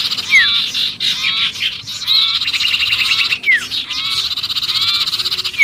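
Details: Distressed sirpu calling as if caught, a lure sound for other birds: dense harsh chattering with sharp falling whistled notes at the start and again midway, pulses coming in quick bursts.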